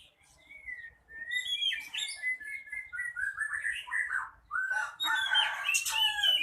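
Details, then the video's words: Male oriental magpie-robin singing vigorously in captivity: continuous varied whistled phrases, rising and falling slurs, fast chatter and dense rich notes building toward the end, without breaks. "Burung kacer"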